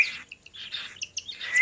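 Cockatiel chicks give harsh, raspy begging calls in quick repeated bursts while being hand-fed.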